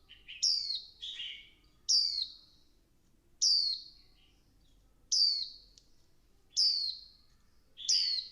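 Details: Female Swinhoe's white-eye calling to stimulate a male into intense 'líu căng lửa' singing: six sharp, high, thin notes sliding steeply downward, roughly every one and a half seconds, with softer lower twitters between them.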